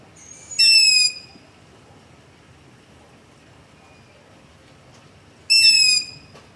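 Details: Nocturnal long-eared owl begging near a house, captured with a ZOOM H5 and LOM Usi Pro microphone: two loud, high, squeaky screeches, each about half a second, spaced roughly five seconds apart over quiet background.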